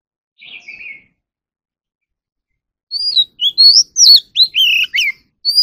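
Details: Oriental magpie-robin in song training, starting with a soft buzzy note. After a silent gap it breaks into loud, clear whistled phrases that rise and fall rapidly.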